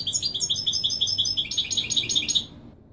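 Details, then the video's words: Authentic Wiydani Marrakchi song from a European goldfinch, played so chicks learn it: steady series of bright high notes in regular beats, then a busier twittering passage before fading out. "الحسون الكوبرية للأخ أحمد تغريد الويداني المراكشي الأصيل لله يبارك لتسميع و تلقين الفراخ"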